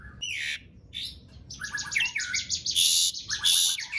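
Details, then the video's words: Energetic Asian pied starling song, played to lure silent starlings into singing; buzzy raspy bursts and rapid chattering notes that grow louder and harsher toward the end. "Jalak Suren Gacor Dor Ngerol Panjang Ampuh Buat Pancingan Jalak Macet Agar Bunyi"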